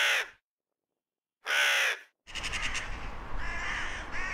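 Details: Crow with two harsh caws separated by silence, followed by a noisier stretch of rapid, overlapping rasping calls.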